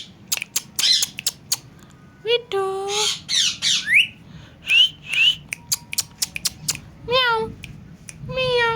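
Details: Indoor pet parrot giving scattered clicks, sweeping upward whistles and several falling meow-like tonal calls, spaced by quieter pauses.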